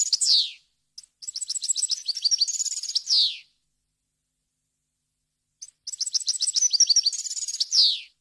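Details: European goldfinch singing varied wild-style phrases on a clean recording used to teach young birds: rapid high twittering strings rising into a trill and closing with a buzzy falling note, two song bursts separated by a long silence.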